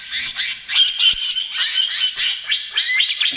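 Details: Greater green leafbird in trotol style, a lure and therapy song: harsh buzzy chatter with clear whistled notes inside, ending in several quick upward-sweeping whistles.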